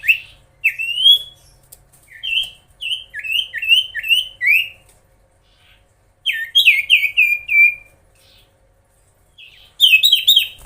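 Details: Common iora singing actively to rile rival birds, giving bursts of short bright whistles that slur down then up, several phrases of four to six notes separated by brief pauses.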